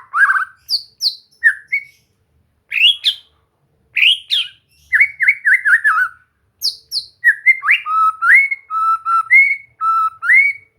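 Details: White-rumped shama delivering rich, varied song for relaxed singing training: bursts of high chips and upward flicks, then quick rolling slurred whistles, and later alternating low level whistles and rising notes, with short pauses between phrases.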